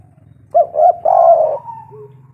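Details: Local tekukur, a spotted dove, calling to lure other doves: two short coos followed by one long, rolling coo, then a faint trailing tone over a steady low hum.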